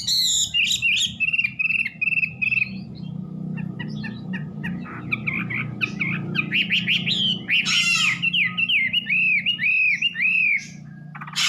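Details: Varied, melodious Wambi song of high slurred whistles and chattering notes, ending in a run of arched whistled notes over a steady low background hum.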